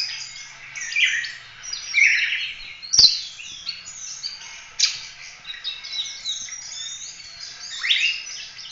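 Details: Oriental magpie-robin singing actively in the full-roll 'tembak' style, used to tutor other birds: dense, rapid, varied whistles and twittering notes, with bright bursts and slurred phrases flowing almost without pause. One sharp click partway through.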